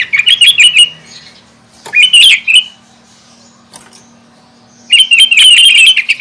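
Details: Sooty-headed bulbul in lively song to provoke other bulbuls: three bursts of fast, bubbling chirps, the middle one short and rising, with a faint steady hum in the background.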